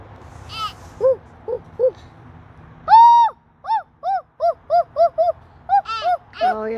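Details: Owl calling in a varied series: short arched notes, a longer loud note near the middle, then a run of evenly spaced arched hoots with a lower, rougher note at the end; a faint low hum underneath.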